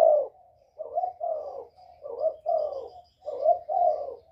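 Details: Northern spotted dove with a whistle voice, used to draw in wild doves, cooing almost without pause: a run of about seven low, mellow hoots and drawn notes over four seconds.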